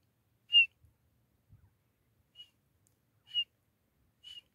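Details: Grey francolin pair calls, used in hunting: four clipped whistled notes at a high, even pitch about a second apart, the first loudest, with faint low thumps between them.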